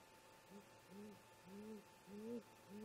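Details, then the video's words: Great grey owl parents calling near their snag nest around 04:25 MDT on an early July morning, giving soft, low, slightly arched hoots in an uneven sequence, each hoot rising then falling, with a faint steady hum behind. "Great Gray Owl - Parents Have a Talk"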